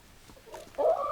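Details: Chicken giving a brief fowl call: a soft low note followed by a louder, rising, nasal cluck lasting about half a second.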